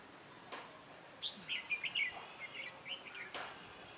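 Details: Red-whiskered bulbul used as a decoy for trapping on a cold, windy day, 16 December 2017: a rapid burst of bright, chirpy whistled notes lasting about two seconds, with faint background hiss.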